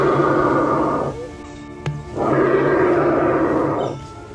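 Australian bustard giving two deep, hoarse, roaring bursts, each over a second long, separated by a short pause, over a steady musical background.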